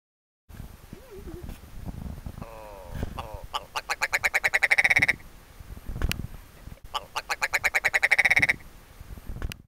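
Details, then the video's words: Ptarmigan recorded in the Arctic gives two dry, croaking rattles, each a fast run of clicking pulses that speeds up then stops abruptly, after a soft low murmur at the start. "Ptarmigan Call"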